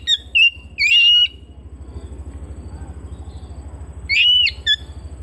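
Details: Household Oriental magpie-robin delivering bright, clear whistles with quick rising slurs and clipped chips, two phrases a few seconds apart, against a continuous low throbbing machine hum.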